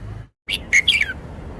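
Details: After a brief silent gap, a red-whiskered bulbul sings from its repertoire: a lively phrase of loud, clear chirps ending in a downward-slurred whistle.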